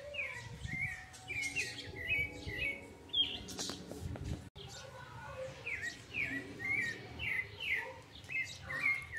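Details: Sabiá singing live in the countryside in August 2020 at 5:30 in the afternoon: repeated short whistled phrases, rising and falling, with a man speaking Portuguese softly over a quiet rural background.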